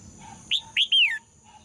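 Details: One bright phrase of female red-whiskered bulbul song, intended to provoke males: two clipped rising whistles, then a long note falling away, with a faint lower tone and a steady high hum beneath.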